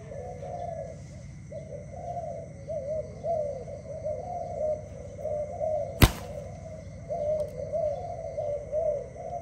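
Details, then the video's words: Dove singing in the early morning: a steady stream of soft, low rolling coos repeated without pause over a constant low hum and steady high tones, with one sharp click midway. "Dove animal singing at early morning"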